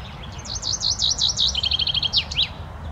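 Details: Chaffinch song, loud and close: a run of bright chipping notes, then a quicker, lower rattling series, finished with a sharp downward-sweeping flourish, all within about two and a half seconds over a faint low hum.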